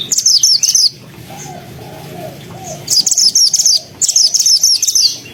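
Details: Mantenan (pied fantail) in a tutor recording for white-rumped shamas, singing loud and continuously: three bursts of very high, sharp chirping notes in rapid runs, separated by a quieter pause with faint lower wavering sounds.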